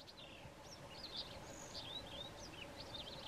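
A White-throated canary sings a quick, varied run of high chirps, slurred whistles and short trills, set against a steady hiss of background noise.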